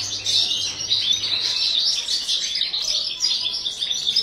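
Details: Caged European goldfinch during breeding, with a steady stream of high, jingling twitter notes and quick trills, plus a faint hum at the start.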